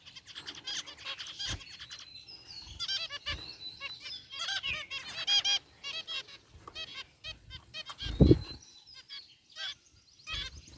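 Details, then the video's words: Caged zebra finches in an aviary, a group of white and gray birds, giving busy bursts of nasal, stacked chirps and buzzy notes, with brief pauses and a loud low knock near the end. "Cute Zebra Finches in Aviary | Relaxing Bird Chirping Sounds"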